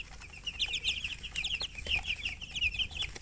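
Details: Baby chicken chicks chirping: a rapid, continuous series of high, thin peeps, several overlapping, over a low background hum.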